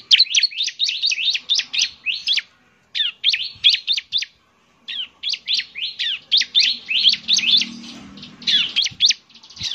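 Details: Bar-winged prinia (ciblek), semi-active singer used as a lure, repeating high, sharp, down-slurred chip notes in rapid rhythmic series broken by short silences.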